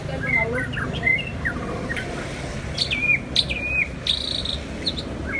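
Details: Two white-rumped shamas sing against each other with scattered whistled notes, a few sharp rising slurs and one long steady high whistle, set against a constant low hum.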